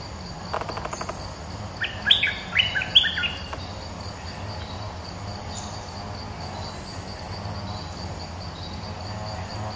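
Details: Bulbul song used as a trapping lure: a short burst of clear, bubbly whistled notes in the middle of the clip, set against a steady background of insect trilling and faint low rumble.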